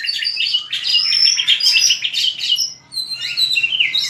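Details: A white-rumped shama's fighting song used in training: rich, fast, overlapping whistles and warbles, high and bright, with a short gap before a rising final phrase.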